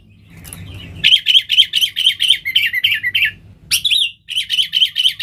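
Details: Sooty-headed bulbul in full lure song for wild bulbuls: rapid rhythmic chirps in two long bursts, about four notes per second, split by a short pause and a rising note.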